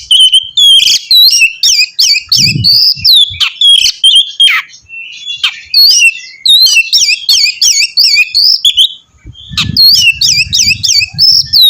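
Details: Oriental magpie-robin singing vigorously to prompt another bird: long, continuous run of sharp, twisting whistles and chirps with hardly a pause, and brief low rumbles now and then.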